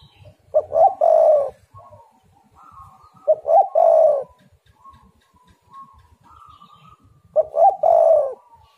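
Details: Spotted dove song used as a lure for other doves: three throaty coo phrases roughly every three seconds, each with quick opening notes and a long falling coo. Fainter higher whistles between them.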